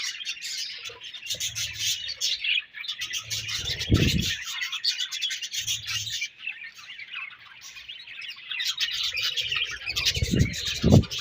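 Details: Chirping from a budgerigar colony, a steady mass of rapid overlapping chatter and warbles from many birds, with scattered low bumps and knocks underneath.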